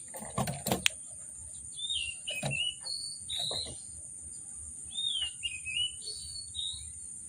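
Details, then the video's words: Oriental magpie-robin in an agitated state, singing a varied song meant to provoke silent magpie-robins into singing: fairly soft whistled phrases, short rising and falling slurs repeated at irregular gaps, after a few sharp knocks and rustles at the start. "Kacer Gacor, Kacer Emosi Memancing Kacer Sulit Bunyi, Kacer Isian Mewah"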